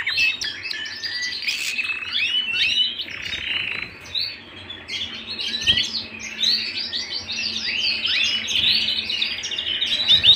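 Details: Canary singing indoors at home, a continuous rapid warbling song of varied chirps, trills and twittering phrases with barely any pause, with a faint low hum in the background.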